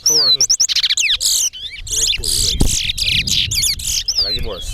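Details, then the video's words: Towa towa birds in a singing race competition at Alligator Pond, delivering rapid bursts of high, sweeping whistled notes and trills in quick repeated phrases, with brief pauses between bursts and faint voices underneath. "TOWA TOWA BIRD RACE AT ALLIGATOR POND"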